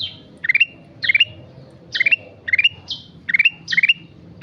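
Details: Chattering sooty-headed bulbul delivering repeated stuttered phrases of quick ascending notes, each burst short and bright, with single slurred chirps mixed in at regular intervals.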